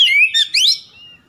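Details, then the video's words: Oriental magpie-robin sounding off to provoke a rival: a single short burst of high whistled notes, one sliding down then several rising sweeps, ending in a thin fading tone. "PANCINGAN CEPAT MEMBAKAR EMOSI lawan"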